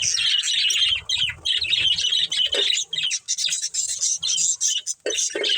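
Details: Pet budgerigars in a family group chirping together: dense, continuous scratchy warbling chatter with rapid buzzy notes, pausing only briefly between bursts.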